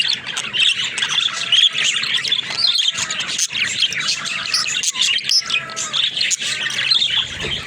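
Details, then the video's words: Talking budgies kept as pets chatter busily, rapid high chirps and twitters running together with clicking notes and faint descending whistles underneath. "Funny Talking Budgies"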